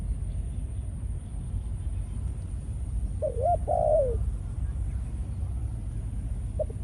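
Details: Male decoy spotted dove of Malaysian stock, after a few ground sessions, now in breeding mode: a single low, hoarse cooing phrase of a few short notes falling at the end, over a steady low rumble of background noise.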